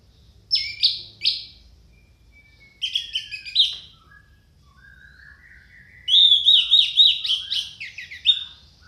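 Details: Orange-headed thrush singing in loud, clear bursts: two sharp descending whistled notes, then a cluster of buzzy chips, then a long run of rapid warbled phrases. Quiet gaps separate the bursts, with faint lower whistles in between.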